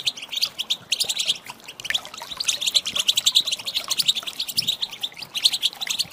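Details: European goldfinch hen calls used to provoke males to sing; quick, tinkling chirps pour out in dense runs, with a short dip in activity early on.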